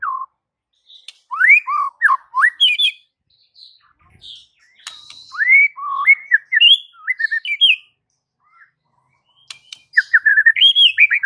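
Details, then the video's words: Song of a white-rumped shama, played as a training recording for silent birds: clear, slurred whistles climbing and dipping in fast sequences, with a pause before a final rich burst. "Murai Batu BISU seketika langsung TERPIKAT dengan MASTERAN murai batu ini"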